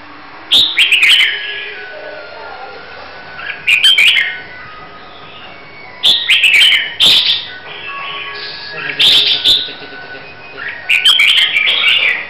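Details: Red-whiskered bulbul of the Hue type, prepared for competition singing, repeating short loud warbled phrases of slurred whistles about every three seconds, with quiet gaps, faint thin tones and occasional clicks between bursts.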